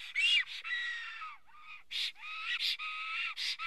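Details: ['Black stork, the male at a nest in Karula, Estonia, on a live nest camera, upset by an intruder near the nest on 19 May 2017 at 11:10, just before the first chick hatches. Hoarse, bending whistled calls, some rising then falling, with short rasping bursts between them.']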